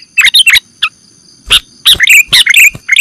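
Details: A sooty-headed bulbul call used as a lure for catching birds: quick chirps, a pause, then lively warbled phrases rising and falling, over a faint constant high tone.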